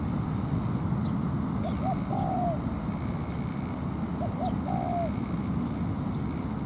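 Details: Spotted dove used as a ground decoy in a trap, calling to lure a wild dove down to fight: two short soft cooing phrases, each a pair of quick notes and a longer drawn coo, over a steady hiss and high whine.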